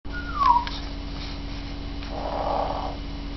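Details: Pet African grey parrot making a snoring imitation indoors: a short descending whistle, then a soft, hissing, rasping breath-like snore lasting under a second over a steady low hum.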